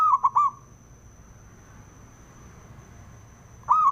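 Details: Male zebra dove (local perkutut) calling to stir rival doves to sing: a quick rolling coo of three pulsed notes opens, then quiet, then another phrase starts at the end; a steady faint high whine throughout.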